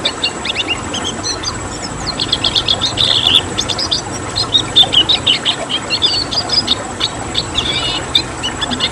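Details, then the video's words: Tembakan song of a red siskin, a lively stream of high, scratchy chirps and trilled notes that grows busier and more rhythmic midway, over a constant hiss. "Masteran Tembakan Siskin Merah"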